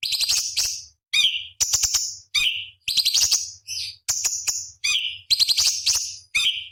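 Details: Cucak cungkok in continuous song for teaching competition birds: fast buzzy rattles alternating with high steady whistles and downslurred notes, almost without pause.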